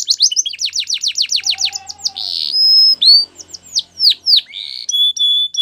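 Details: Male canary song opening with a rapid trill of about fifteen repeated notes, followed by a held whistle, downslurred whistled notes and a steady high tone.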